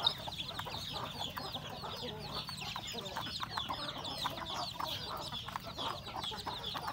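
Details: Rural home chickens at breakfast, roosters and hens; steady chorus of high curved peeps with scattered lower clucks throughout.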